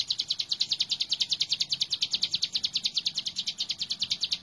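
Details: Hill prinia singing energetically, recorded as a master track for training birds: a fast, steady series of sharp, high chipping notes, about eight per second, running without pause against faint background hiss.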